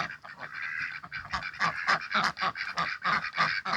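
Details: In a backyard in spring, six owner-hatched domestic ducks are mating, with raspy, nasal, mid-pitched quacks in a rapid series of about three or four harsh notes per second, overlapping at times.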